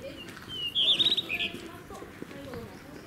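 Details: Blue rock thrush at Shuri Castle on 16 May 2019, giving a single short burst of high, fluty, warbled notes lasting about half a second, set against a steady low murmur of distant voices and background noise.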